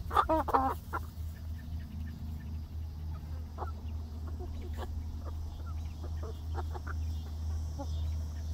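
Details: Young egg-laying hens in their new outdoor backyard run on day one; a burst of louder clucks opens, then sparse short clucks follow over a steady low hum.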